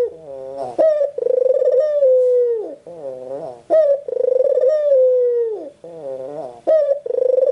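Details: White Barbary dove calling indoors with regular phrases: a soft rising hum, a sudden higher hiccup, then a long rolling coo that falls off, repeated about three times.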